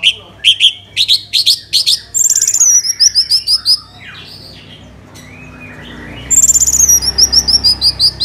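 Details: Orange-headed thrush song played as a lure to make other birds start singing: bursts of rapid, repeated clear notes, then high sweeping trills in quick descending series, a short quiet gap, and another shrill trilled run.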